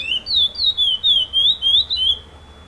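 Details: Competition song of a first-placed chestnut-bellied seed finch, curió preto, with repetition, FEBRAPS fifth stage: a loud, pure whistled run of gliding notes, rising then falling, several phrases in under three seconds, quiet background.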